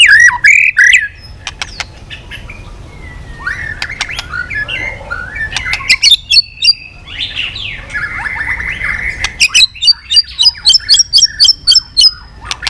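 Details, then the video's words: White-rumped shama stirred into intense song, tail beating continuously, running a long swiftlet-style string of changing voices. Varied whistles and chattering phrases end in a quick series of high, sharp repeated notes. "Chòe Lửa kéo dây yến đảo giọng đập đuôi liên tục. kích Chòe Lửa hót căng."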